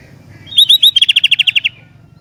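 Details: A single song phrase from a vigorous sooty-headed bulbul: three upslurred whistles, then about ten quick, evenly spaced bright chirps that end abruptly. A low hum sits underneath.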